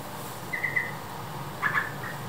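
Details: A mother yellow-vented bulbul raising young gives a quick run of three soft chirps, then a brief pause and two or three more, over a low hum of distant traffic.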